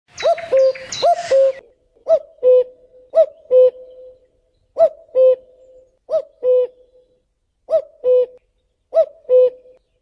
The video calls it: Canto del Cuculo